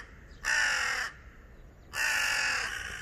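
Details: Two long, hoarse, grating caws from an angry crow sitting on power lines, separated by a pause of under a second, with faint low background noise.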